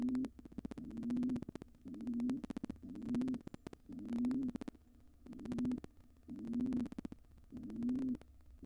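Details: Wild pigeons of an intruding pair taking over a nest box once the resident nestling had fledged: a long series of eight deep, slightly rising coos, evenly spaced, with rapid clicking between them.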